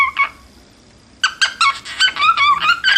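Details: Cockatiel song: a faint whistle at the start, then after a pause a dense run of harsh, rapid chattering notes with rich overtones, packed closely together.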